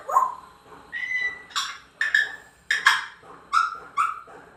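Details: Captive African grey parrot, said to talk in Telugu, making a string of short whistled and voiced syllables, some sliding, spaced about half a second apart indoors.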